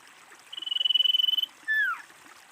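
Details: Female common iora call, used as a lure for wild ioras: a high, quickly pulsed trill of about one second, a brief pause, then one strong whistle sliding downward, over faint background hiss.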